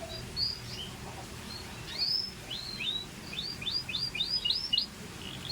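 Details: A Scotch Fancy canary gives scattered sweeping whistles and then a quick series of repeated upslurred notes, fairly soft over a low background rumble.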